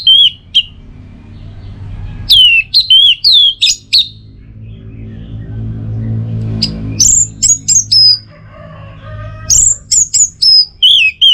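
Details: Long teler-style passage from an orange-headed thrush in North Bali: clusters of loud, bending whistles with sharp high notes, broken by a quiet interval with low background hum.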